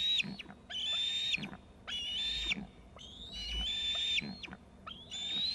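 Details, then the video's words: Young eagles calling from Gregg's tree after leaving the nest: piercing whistled screeps with downward-falling ends, about one per second, some notes doubled. "7:56 the other eaglet off Constables to Gregg's both screeping"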